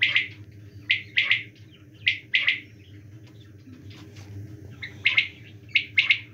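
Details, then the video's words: Quail heard calling in winter with crisp, high chirps in paired bursts at uneven gaps of about a second. There is a quieter spell in the middle, and a constant low background hum throughout. "quail calling in winter season"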